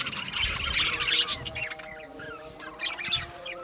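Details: Budgerigars chattering in an aviary: a loud cluster of high squeaky chirps over the first second and a half, then softer scattered tweets and short warbled notes.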